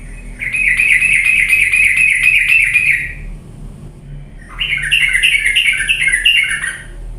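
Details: Yellow-vented bulbul lure song meant to make lazy birds start singing energetically, heard as two bursts of fast, dense chattering, the first about three seconds long, the second about two and a half, with a faint steady hum underneath.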